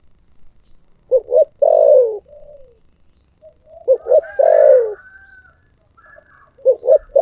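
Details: Thổ sấm-style cooing of a spotted dove. Double short coos run into a long, descending low note, repeated about every three seconds. Faint higher whistles and a soft low rumble sit underneath.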